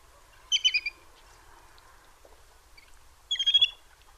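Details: Little grebe (Tachybaptus ruficollis) calling: two short bursts of high, squeaky, rapid notes about three seconds apart, over a faint low background murmur.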